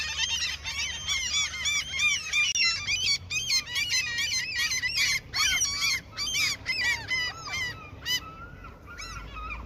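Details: Dense chorus of seagulls given food by an angler: overlapping shrill, bending squeals pour out almost continuously for eight seconds before tailing off to a single longer cry.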